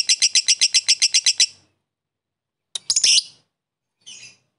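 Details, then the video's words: Lovebird fighter chatter meant to trigger a rival: a quick burst of about a dozen sharp high notes, a pause, then harsh buzzy calls. "pancingan lovebird fighter paling efektif bikin musuh langsung ikutan ngekek"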